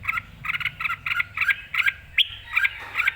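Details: Excited Red-whiskered bulbul in full, clear song, ready to compete: paired chirpy syllables repeated about three times a second, with a sharp upward whistle in the middle, over a faint low hum.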